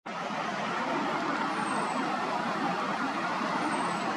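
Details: Steady broadband engine and traffic roar throughout, like a passing truck or bus idling, with no animal voice heard.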